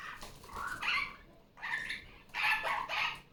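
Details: Loud, scratchy screeches from a female pet superb parrot indoors on Sunday morning after leaving her nest. Three drawn-out harsh calls come in quick succession, the last one longest and strongest.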